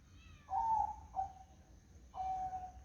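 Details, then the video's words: Zebra dove singing on a foggy morning, with three soft, even coos spaced about half a second apart, the final one held steady, in quiet surroundings. "Suara Burung Perkutut di Pagi Hari Berkabut"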